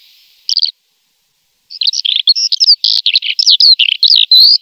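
Eurasian skylark song: one short note, a pause, then a fast, unbroken stream of high, varied chirps and trills that runs to the end.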